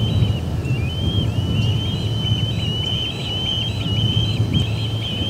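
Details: Resident ospreys drive visiting ospreys from the Charlo P2 nest at midday on August 20, 2020. A string of thin, high chirps and short slurred whistles runs nonstop above a steady low drone.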